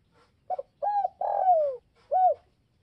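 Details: A spotted dove calls to provoke rival doves, giving a phrase of soft, low coos: a short double note, a rounded coo, a long descending drawn-out coo, then a final short coo.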